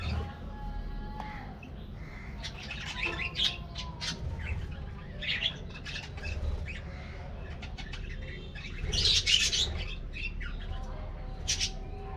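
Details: Budgerigars kept in an aviary colony at their morning diet treat: mixed chirps, scratchy squawks and a few thin whistles, louder burst near the end, low hum behind.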